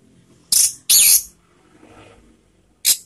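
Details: Orange-headed thrush calls meant to lure other birds into song: two loud, harsh rasping bursts close together, a pause with faint murmuring, then a third short rasp.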